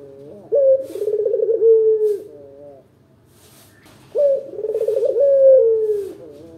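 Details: Two rolling coo phrases from a local puter dove, used as a lure to make caged birds call back; each begins with a bright accent, trembles through a long purr, and drops, separated by a quiet pause with soft clicks.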